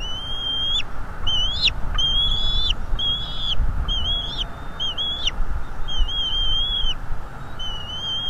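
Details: Father bald eagle at a North East Florida livestream nest, defending against an intruder: a series of high, thin, piping notes that rise and waver, given in quick bursts about every second, with constant low background noise.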